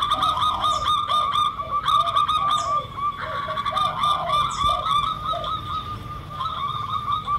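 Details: Zebra doves (local perkutut) calling with spotted doves (derkuku) as a lure: mellow curved coos grouped in bursts, mixed with a fast sequence of higher repeated notes and light background noise.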